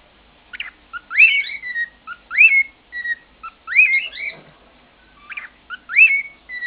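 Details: An elderly pet cockatiel that sings all day whistles its mangled version of the Andy Griffith Theme in clear, rising and falling notes, short phrases repeating about every second and a half; the room is otherwise quiet.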